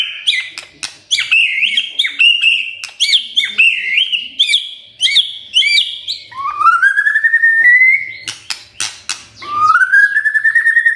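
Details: Magpie-robin (murai) song played to coax birds into singing: a fast series of looping whistled notes, then long smooth upward-sliding whistles between sharp clicks.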